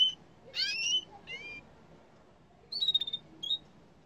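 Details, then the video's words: Yellow canary song in short bursts: a rich warbled note, a brief rising chirp, then a run of quick clipped whistles and a final high note, separated by quiet gaps. "canari jaune chant 💛💛💖/غناء طير الكناري💛💛💖"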